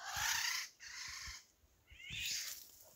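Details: Eurasian golden oriole in a garden woodland, near fledglings just out of the nest guarded by their parents, giving harsh, cat-like rasping screeches in three bursts, each under a second, over faint background hiss.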